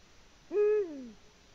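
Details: One hollow, low hoot from a Eurasian eagle-owl sitting in the nest, Latvia, 14 February 2020: a short flat tone that bends down into a trailing, quieter glide, set against near silence.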